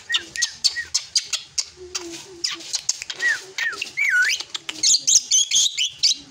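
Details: Young drongo growing up sings short curved whistles among rapid ticking clicks. A looping whistle is followed by high, tangled, chattering notes at the end.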